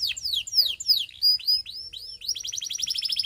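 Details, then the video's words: Belgian canary delivering a series of high, downward-sweeping whistles, then upswept notes, breaking into a quick, evenly pulsed trill. "Belgian Canary Tempts All Canaries to Sing!!!"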